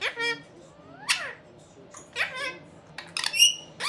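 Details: Two pet Indian ringneck parakeet brothers chattering indoors: a few short harsh squawks and rasping, speech-like notes come in separate bursts with quiet gaps between them.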